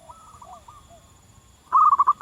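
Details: Wild local zebra dove singing: soft, distant phrases of stuttering coos mixed with lower sliding notes, then a loud, close, rapid run of even cooing notes at the end.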